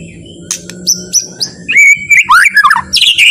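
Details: Slow, relaxed song of a white-rumped shama (murai batu), used to provoke other shamas into singing: scattered sharp clicks, then a rising whistled phrase and fluid warbling notes, with a low buzzing hum in the background.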